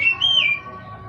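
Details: Kacer, or Oriental magpie-robin, giving a single clear whistled note that holds steady, then rises slightly and fades within about half a second, against a quiet background hum.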